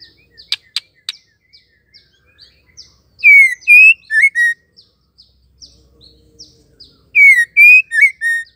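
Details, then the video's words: Female white-rumped shama calling to provoke males into song: soft scattered high chirps and a few clicks, then a loud phrase of four clear whistled notes, falling, rising, then two short slurs, repeated after about four seconds. "MURAI BETINA PENGGACOR AMPUH RESPON CEPAT AUTO GACOR"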